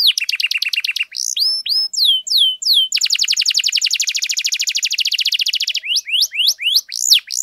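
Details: Canary singing a long varied song meant to spur quiet canaries to sing: fast rattling trills, looping slurred whistles, then a dense rolling trill lasting three seconds, closing with rising sweeping notes.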